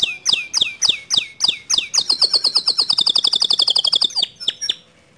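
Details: Long standard song of a white male canary: a series of falling whistles leading into a rapid, evenly pulsed high trill, closing with two thin chips and a fade.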